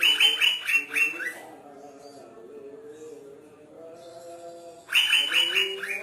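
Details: Singing Asian fairy-bluebird, described as agitating green leafbirds: a burst of five sharp whistled notes, then a pause with low faint tones, then another rapid whistled series.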